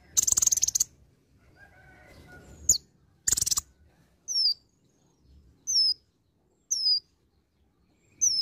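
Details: Olive-backed sunbird in active song with imitated phrases: harsh rapid trills at the start, then sharp, downslurred high whistles repeated roughly every second over a quiet background.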